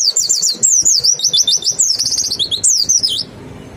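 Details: Mountain white-eye song used as a lure to stimulate singing: a rapid, dense run of high, thin twittering and sliding whistled notes lasting about three seconds, then quiet.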